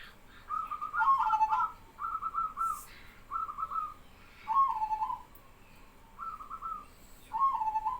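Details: Zebra doves answering one another in song, set off by a vigorously singing local male: six short, staccato, bubbling coo phrases, each about half a second long, separated by brief pauses, with faint background noise.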